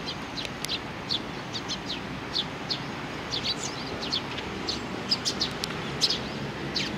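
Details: On 3 July 2019, a sparrow and its chick keep up a busy series of short shrill chirps, often in pairs or triplets, steady throughout over low ambient noise.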